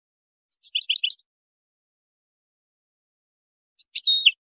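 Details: European goldfinch giving Moroccan-style song for tutoring goldfinch chicks and hybrids; a short phrase of quick repeated twittering notes, a long pause, then a brief buzzy, warbled fragment; no background sounds.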